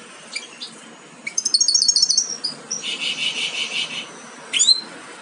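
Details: European goldfinch fledglings almost ready to jump from the nest, captive-bred: rapid high twittering, then a sustained buzzy rasping chatter lasting over a second, and a final sharp rising call.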